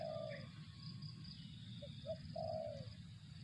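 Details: A spotted dove ends one drawn-out coo, then delivers a fresh phrase of two short hoots and a longer purring note, over a low rumble and a thin high hiss.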